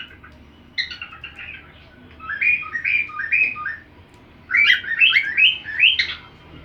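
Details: Cockatiel learning a song by listening to another cockatiel: two phrases of rising and falling whistled notes, four or five per phrase, bright and slurred, with quiet gaps between.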